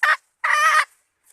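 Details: Female red junglefowl heard in a lure recording for calling males: a brief harsh note, then a longer rasping, buzzy note with a short silence between them.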